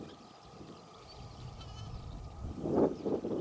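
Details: Ruddy shelducks, wild, at Lanzarote, Spain, from a fairly big group, some taking off as approached; after steady wind rumble, two or three loud nasal honking calls burst out near the end.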